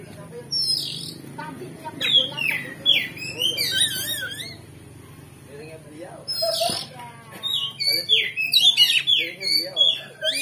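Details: Oriental magpie-robin in loud, varied song: rapid whistled phrases, trills and buzzy notes, with a brief pause before a fresh burst; a provocation recording meant to rouse a magpie-robin's fighting spirit so it answers back.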